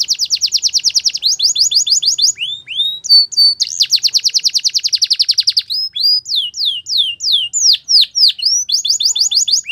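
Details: Canary in full song with long rapid trills of evenly repeated notes, broken by rising whistles and slower swooping sweeps, high-pitched and continuous for nearly ten seconds.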